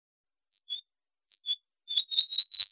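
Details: Wallcreeper giving thin, high whistled notes: two pairs of short piping notes, then a quickening run of five clear whistles at the same pitch, on a silent background.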